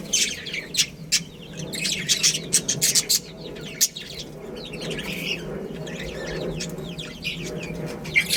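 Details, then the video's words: Chirping from a pair of breeding budgerigars, a continuous busy stream of sharp ticks and short warbled squeaks, with brief louder peaks near the start and around 3 seconds. "Cute Budgies Chirping Sounds"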